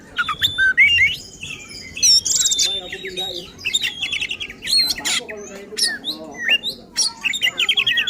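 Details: An oriental magpie-robin sings in an agitated, combative mood used to provoke rivals, a dense fast stream of varied whistles, harsh squawks and mimicked-sounding notes with almost no pauses.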